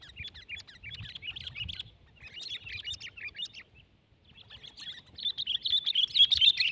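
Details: Sooty-headed bulbul in a tense fighting contest with a rival bird, delivering fast runs of bright chirping notes in several bursts, pausing briefly before a louder, denser chattering stretch at the end.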